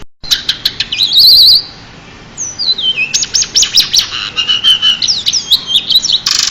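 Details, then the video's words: Champion pied bushchat, recorded for training other songbirds, singing a fast high medley: rapid ticking notes, a buzzy trilled burst, then a stepped descending whistle and dense chattering phrases, ending in a harsh burst. "burung decu juara untuk master"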